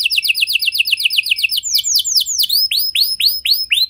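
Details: Canary singing to get other canaries to join in: a fast chattering trill that slows into loud, separate swooping whistled notes about four per second.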